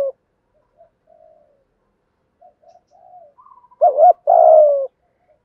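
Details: Spotted dove, 'thúc gù' style coo meant to make newly caught doves start cooing: scattered faint soft notes, then one clear phrase of a short wobbling note followed by a long, hoarse, gently falling coo.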